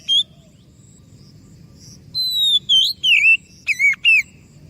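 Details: Oriental magpie-robin singing to draw replies from other birds: a lone high whistle, a pause, then a run of wavering, looping whistled phrases falling and rising.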